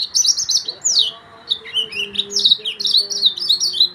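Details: Young Mozambique yellow-fronted canary singing a fast, continuous warble of high sweet trills and slurred whistles, with a faint low hum underneath.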